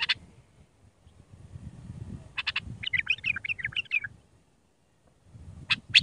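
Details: Iraqi bulbul of the raw Mandali type, singing to tutor young bulbuls: short bursts of high chattering notes near the start and end, a warbling phrase in the middle, over a low rumbling background noise.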